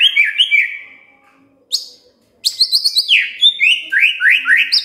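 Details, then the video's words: Magpie-robin song used to prompt a quiet bird into singing: rich whistled phrases sliding down, a pause, then a rapid run of bright rising and falling notes with sharp high chips mixed in. "Pancingan Murai DIAM Agar Rajin Bunyi"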